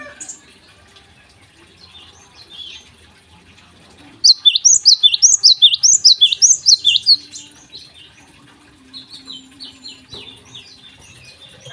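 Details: Java sparrow singing in the morning: after quiet chips, a fast burst of about a dozen high, looping, bell-like notes lasts some three seconds, then softer scattered chirps follow in a calm setting.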